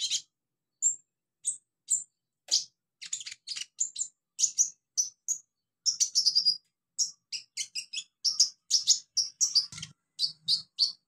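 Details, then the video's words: Olive-backed sunbird in the wild, in its natural habitat, delivering a long string of high, sharp tweets and clipped twittering notes, spaced irregularly and quickening toward the end, with a quiet background. "KICAU KONIN ALAM LIAR HABITAT ASLINYA"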